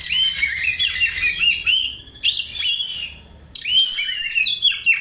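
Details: Oriental magpie-robin mimicking house sparrow calls as a tutor song: three bursts of high, quick, bright chirps and twittering notes, separated by short pauses.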